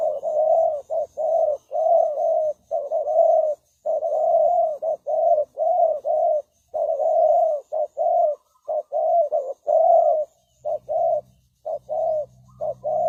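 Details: Spotted dove decoy calling to attract birds: a long, dense series of deep, throaty coos in rapid succession, with a low droning hum entering near the end.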